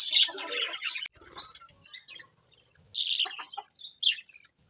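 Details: Colourful budgies chirping in short bursts: a loud cluster of high twitters, a quieter stretch of scattered notes, then two more sharp bursts of chatter.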